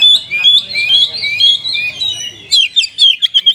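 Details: Oriental magpie-robin with kapas tembak-style notes: flowing warbled whistles for over two seconds, then a sudden switch to sharp, rapidly repeated staccato whistles.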